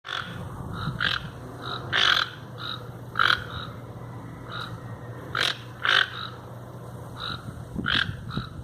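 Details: Toucans in the wild: short, hoarse, croaking notes in brief bursts, some single and some doubled, repeated irregularly about every half second to second over a steady low hum.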